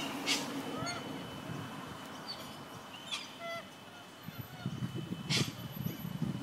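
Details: Among hundreds of corellas inhabiting trees in a neighbourhood park, harsh, grating screeches come in three loud bursts a few seconds apart over scattered flock chatter, with low wind or traffic rumble.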